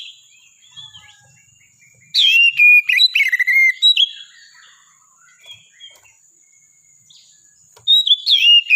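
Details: Oriental magpie-robin in full song: loud bursts of rich, varied whistles, warbles and sliding notes, with pauses between phrases and a faint steady high whine in the background.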